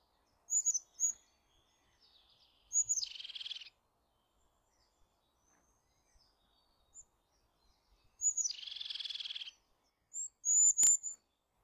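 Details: Eurasian jay giving two harsh, buzzy rasping calls about five seconds apart, each introduced by brief high whistled notes, with a sharp click and further high notes at the end.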